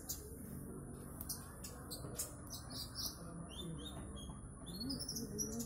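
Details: Konin bird delivering trotol-style song: scattered high whistled notes and short rising slurs with a few sharp chirps, over a steady low background hum and a faint continuous high tone.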